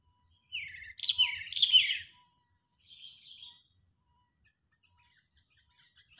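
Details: Sooty-headed bulbul in full anger, used to lure birds for trapping: two harsh, downward-sliding squawks in quick succession, then a softer, fainter chatter after a pause.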